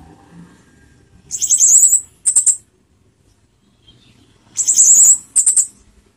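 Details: Orange-headed thrush singing, played to raise emotion and breeding urge; two matching high warbling trills, each followed by a short buzzy note, separated by about three seconds of quiet.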